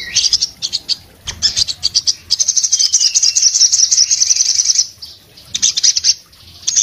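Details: Orange-headed thrush in breeding condition, singing hard with open beak, a song said to set other orange-headed thrushes singing: dense high twittering bursts, then a long sustained rapid trill, broken by short pauses and renewed chattering phrases.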